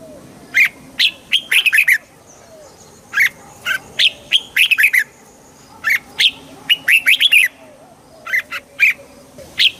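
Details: Red-whiskered bulbul song, played to excite the bird: repeated bright, jumpy phrases of quick chirped notes, about five phrases with short gaps between them, steady and loud throughout.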